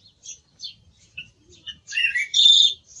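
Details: Brief song thrush song: a few separate high notes lead into a loud, dense burst of warbling and a sustained bright whistled phrase.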